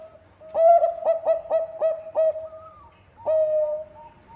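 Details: Vigorous song of a Bangkok zebra dove, used as a lure for other singing birds: a burst of five or six quick staccato coos, a higher rising note, a pause, then a long steady coo with a brief tail note.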